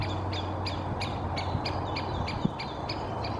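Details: One of two Great spotted woodpeckers moving in a birch canopy in Helsinki, Finland, in May, calling incessantly: sharp, high 'kik' notes, about three per second in a steady series, over a low background rumble.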